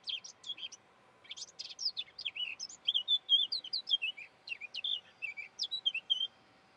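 A Eurasian blackcap sings a rapid, scratchy warble that opens into clearer, fluty whistled notes over about five seconds, with a faint steady hum behind.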